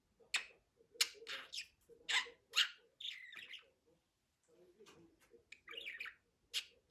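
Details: Budgerigar babbling in rapid, irregular high bursts: clicks, rasps and a few whistled warbles, separated by brief silences.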